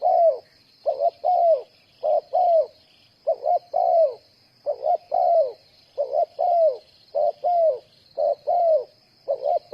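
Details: Repeated cooing from a spotted dove used as a trapping decoy: clipped double syllables then a longer downslurred coo, cycling without pause against a continuous high-pitched hiss.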